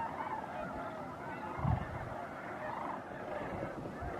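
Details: Large gathering of snow geese at Bosque del Apache National Wildlife Refuge in December 2009, around sunset or sunrise, giving a steady wall of overlapping honking calls, with a brief low thump partway through.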